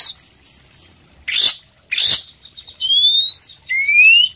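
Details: Kacer poci Oriental magpie-robin singing full isian: a few soft high notes, two loud harsh rasps, then two long pure whistles that rise steadily in pitch.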